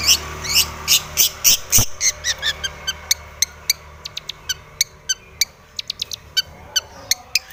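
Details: Long-tailed shrike in lively, aggressive song while seeking a rival. Rapid sharp high clicks and short buzzy notes come in quick bursts, slowing into widely spaced ticks, with a faint low hum beneath.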